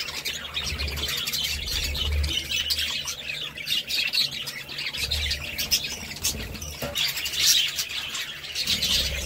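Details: Budgies keep up a steady high twittering with harsher squawks mixed in, above a low background drone that comes and goes.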